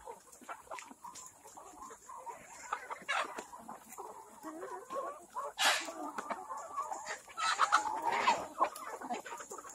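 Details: Busy, rapid clucking rises from organic black Kadaknath chickens on a farm in Cuttack, Odisha. The uneven calls grow louder toward the end, with a sharp noisy burst partway through and a few drawn-out wavering notes.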